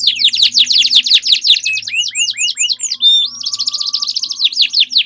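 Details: Two or more canaries duel with long rolling song, kenari ngerol panjang: dense fast trills of downward sweeps, a run of separate upswept notes in the middle, then a renewed buzzing roll, over a faint low hum.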